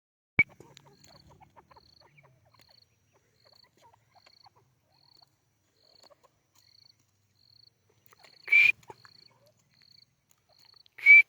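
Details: A female grey francolin (white teetar) gives three loud, sharp, slightly rising notes spaced well apart, over a steady high insect trill ticking in the background.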